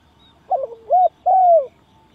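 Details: Spotted dove used to lure doves into a trap. It makes one phrase: a short wavering note, a rounded coo, then a long smooth falling coo.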